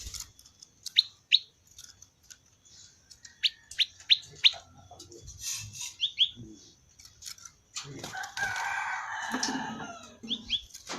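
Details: Prinia, locally called prenjak lumut, giving its typical natural 'ceng-ceng' song: sharp, high, downward-slurred chirps in short clusters of two to four, then a burst of broader noisy sound near the end.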